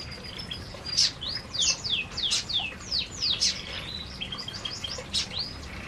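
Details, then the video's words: Several canaries feeding together in an aviary, giving a busy run of high, sharp chirps and quick downward-sweeping notes, overlapping and irregular, with short bright bursts throughout. "Burung Burung Kenari Sedang Makan Di Aviary"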